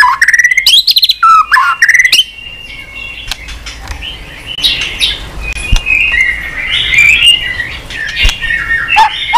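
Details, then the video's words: White-rumped shama song for training a bird to sing with many voices: a burst of loud rapid harsh notes and whistles, then quieter, broken, scratchy phrases over background hiss and clicks. "Kích Chòe lửa Lên Lửa, hót nhiều, chòe lửa đánh đuôi kích cực nhạy.luyện chòe lửa hót nhiều giọng"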